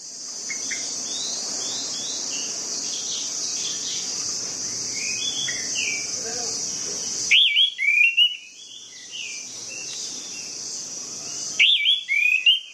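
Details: Orange-headed thrush song for stirring reluctant birds to sing: a long stretch of steady high insect buzz with scattered soft chirps, then two short bursts of loud, fluty slurred whistles.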